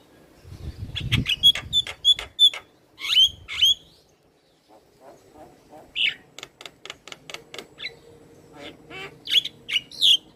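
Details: Vigorous black-winged starling song with head bobbing: rapid harsh notes and whistled squeaks, a pause, then a fast run of dry clicks building into louder squawking whistles, with low rumble early on.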